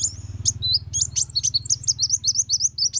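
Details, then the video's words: Energetic song of a Van Hasselt's sunbird as training material for other songbirds: quick run of high, sharp chirps about four per second, each a short down-slurred note, above a constant low electrical hum. "Kolibri Wulung Gacor Cocok Untuk Masteran Burung Murai Batu, Kacer, Cucak Ijo"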